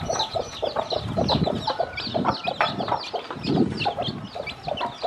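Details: Hen clucking low and steadily while a brood of freshly hatched chicks keeps up a busy chorus of sharp, high peeps as she teaches them to feed.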